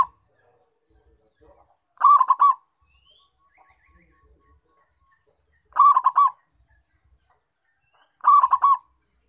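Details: A vigorously calling local zebra dove, used as a lure to attract wild zebra doves, gives three rapid, rolling staccato coos spaced nearly four seconds apart, with faint soft chirps and ticks in between.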